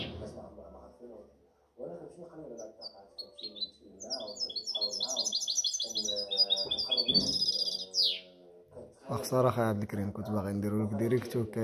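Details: European goldfinch hybrid aged seven months, 2019–2020, breaks into a quick series of tinkling chirps and a dense rattling trill ending in a buzzy downslur; a man speaks loudly in Arabic before and after.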